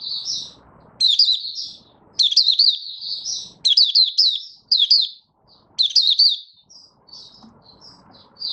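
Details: Oriental white-eye from Malaysia in 'buka sing' opening song, kept bird not yet in form: repeated bursts of rapid, high, tumbling twitters separated by short gaps, ending in sparse soft high notes.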